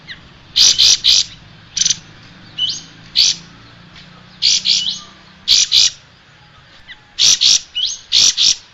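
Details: Striated grassbird singing, recorded for training cage birds. Groups of two to four loud, sharp high chirps come in repeated bursts, with thin rising notes between them and a constant low hum behind.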